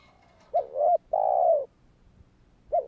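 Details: Spotted dove calling to encourage nearby doves to respond, a two-part coo with a dipping first note and a long even purring second note, then the start of the next phrase; faint steady hum behind.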